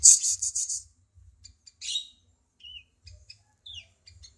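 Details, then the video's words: Cucak cungkok bulbul on a songbird training recording: opens with a loud, fast rattling chatter, then sparse short chirps, a harsh note and a couple of slurred whistles separated by silence. "Cungko masteran burung kicau"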